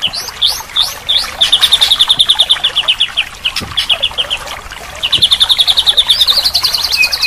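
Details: Training song for a silent white-rumped shama, rich in filler: a few rising whistled notes, then a long rapid even trill, a pause, and another fast trill that climbs in pitch at the end.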